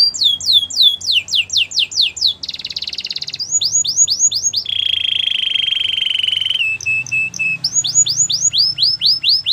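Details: Canary training song: a rising whistled series, then a buzzy trill, more rising whistles, and a long level rattling note. Bright rising sweeps return at the end.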